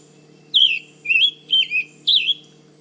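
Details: Male Scarlet Tanager singing in the canopy of mature forest at Manchester Cedar Swamp Preserve, New Hampshire, defending its territory; four hoarse, burry two-part phrases rising and falling, each about a third of a second, spaced half a second apart.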